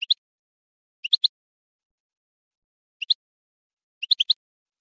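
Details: Goldfinch from a song tape for teaching chicks and songbirds, giving short high chirps in clusters of two or three, separated by about a second or two of silence.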